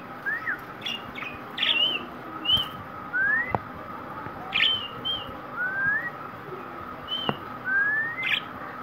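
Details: Kept green parrot calling in a run of separate whistles, mostly rising slurs with a few sharp clicks and short chirps, spaced about a second apart over a constant faint tone.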